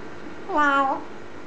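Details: A green eclectus parrot gives one drawn-out, meow-like note of about half a second, rising slightly then falling, against quiet room noise.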